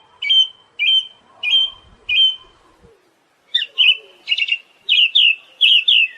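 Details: Song of the Siberian thrush for songbird training: four evenly spaced ringing whistled notes, a brief silence, then a quicker series of similar whistles mixed with chattering, doubled notes.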